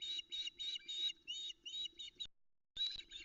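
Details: Adult female osprey calling insistently for fish on a nest cam at Loch Arkaig, 13 July 2020, just after dawn while young feed on a trout; harsh, high chirping notes repeated quickly in bursts, ending after a short gap.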